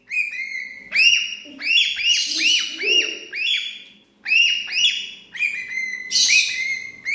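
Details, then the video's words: Parrot calling in a series of harsh, arched squawks with strong overtones, loud bursts repeated roughly every second or two, some overlapping, with quieter chatter between. "Sound of parrot bird"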